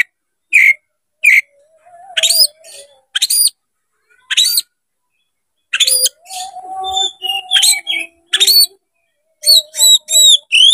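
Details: Tail-spreading Oriental magpie-robin singing as a fighting challenge: sharp upslurred whistles repeated with gaps, then a dense burst of ringing whistles, chatters and low warbled notes, ending in fast high chip series.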